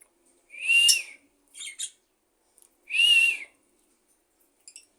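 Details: Budgie giving two loud, clear whistled calls, each arching up and down and lasting about half a second, about two seconds apart, with short scratchy chirps between them and a quiet background.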